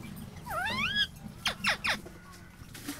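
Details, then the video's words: Indian ringneck parrot: a rising and falling harmonic whistle-like call, then three fast steeply descending squawky strokes, over steady low background noise. "Indian ringneck parrot talking/parrot sound"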